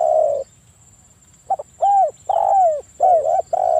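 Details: Spotted dove in breeding condition with provoking lure calls: a long level coo, a silence, then a quick double stutter, arched coos and a drawn-out falling coo, mid-pitched and loud against a faint steady whine.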